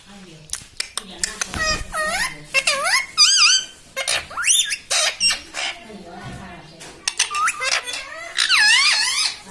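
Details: Talking pet parrot indoors, said to say mummy, papa and mitthu, keeps up a busy chatter of nasal, swooping harmonic syllables mixed with sharp clicks and ticks, sounding speech-like and almost continuous throughout.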